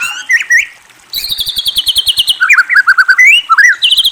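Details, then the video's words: White-rumped shama singing: opening whistled slurs, then a fast, even trill of high notes lasting over a second, followed by rising and falling whistled phrases with short trills; clear and loud with no other sounds. "Murai Bird Whistles and Trills"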